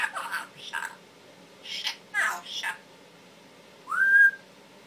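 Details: Pet male Timneh African grey parrot, which mimics words and sounds, makes a run of short, harsh, speech-like syllables, then one clear whistle that rises and then levels off.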